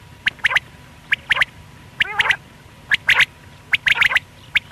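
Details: Lone male quail (batair), call used in morning and night hunting: short, sharp whip-like notes in irregular pairs and triplets, plus one wavering nasal note midway, over a quiet background hum.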